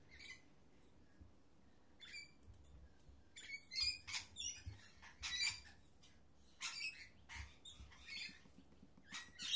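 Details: Mating pair of lorikeets perched on a computer monitor, trying to share a couple of grapes: scattered short harsh squawks and chattering screeches in irregular bursts, quiet gaps between them.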